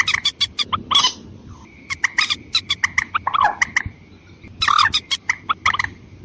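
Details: White-breasted waterhen lure recording for attracting females and males, with rapid rough clucking notes in uneven runs, one lower gurgling burst midway, and a constant faint high-pitched tone underneath.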